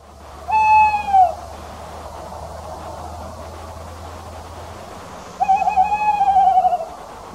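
A tawny owl gives two clear, hollow hoots about five seconds apart. The first is brief and falls away; the second is longer and quavering, over a faint low hum.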